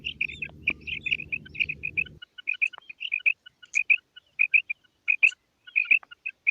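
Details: Female common quail (madi batair) giving a rapid run of short, high, paired chirping notes, irregularly spaced, with a low rumbling hum during the first two seconds.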